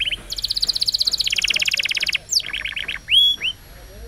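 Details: Champion-style canary singing meant to train young canaries: a long fast trill of rapid repeated notes, then a lower buzzy phrase, a bright rising whistle and short upward slurs.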